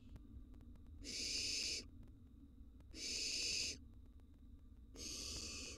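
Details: Feeding time for wild baby barn owls in a nest box; three evenly spaced, harsh, breathy screeches each lasting under a second, about two seconds apart, over a faint low hum.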